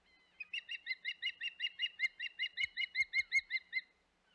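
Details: Osprey on the Hog Island nest, 25 May 2021: a long, steady series of about seventeen shrill, whistled chirps, nearly three per second, with a few faint clicks midway.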